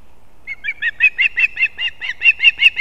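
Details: Competing osprey chicks at a nest in Kurzeme, Latvia, 11 September 2024: after a brief lull, a rapid string of ringing, piping chirps begins, roughly four a second, growing louder toward the end.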